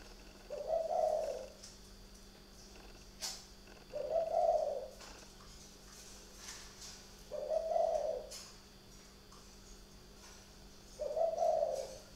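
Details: Spotted dove at night in a bird garden near Ba Vì, Hanoi, northern Vietnam, giving four low, rounded cooing phrases spaced about every three and a half seconds over faint background hum and occasional clicks.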